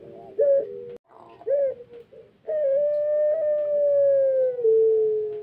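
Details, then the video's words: A dove (puter pelung) gives a few short, soft coos, then one long, smooth coo of about three seconds that sinks slightly at the end; its tail is healing and its voice is not yet at its best. "puter pelung asli panjang enak di dengar"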